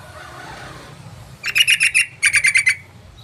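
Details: Sooty-headed bulbul, played as a lure to provoke other bulbuls into calling: two quick bursts of about five harsh, buzzy chattering notes, rapidly repeated, after a short quiet stretch with faint low hum.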